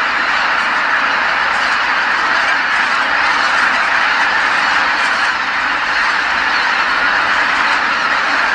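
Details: Evening return of geese to Kabukuri-numa marsh, the birds calling in unison as night falls; a steady, dense chorus of honks with slight swells in loudness.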